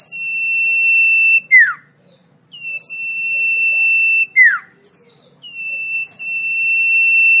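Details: Melodious song of the common iora (cipoh/sirfu), suited for tutoring songbirds. Phrases repeat about every three seconds: high, buzzy chattering notes, then a long steady whistle ending in a sharp falling slur.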